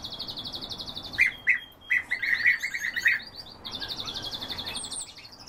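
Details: Several European bee-eaters calling together, high rolling purred trills overlapping almost continuously, broken by louder, lower clipped chirps in a quick burst near the middle.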